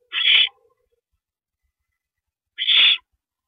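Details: Owl on a porch by its nest at 3:52 AM, 7 May 2012, during the handover of a rabbit. Two short, harsh, hissing screeches sound about two and a half seconds apart, with silence between.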